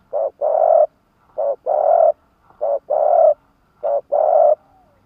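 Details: Spotted dove used as a decoy to call in wild doves in Vietnam: four evenly spaced pairs of coos, each a short note followed by a long, warm, steady one, in a quiet setting.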